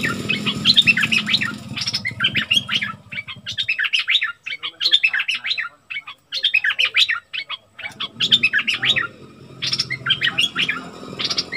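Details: Flowerpecker, excited, sings long runs of rapid high twittering notes broken by short pauses, with a low hum during the opening seconds and again later.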